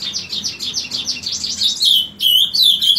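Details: Morning song of an ultramarine grosbeak, which starts punctually at 7 am: a steady run of quick rising chirps that flows into a louder, sweeter warbled phrase near the end.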